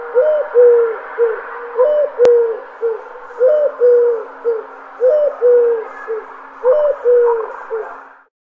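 A dove coos in soft, low, hooting phrases, each a quick rising note then a longer held one and short tail notes, repeated about every two seconds.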